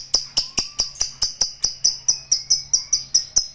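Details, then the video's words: Lovebird in a long 'ngekek' trill of evenly spaced, high, ringing ticks about four per second. A few faint, soft whistled slurs sound underneath. "Love Bird Ngekek Panjang"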